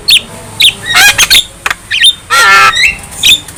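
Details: Javan myna, a young bird singing while nodding, giving spaced sharp whistled chips, harsh grating rattles, and a long buzzy descending squawk between quieter pauses.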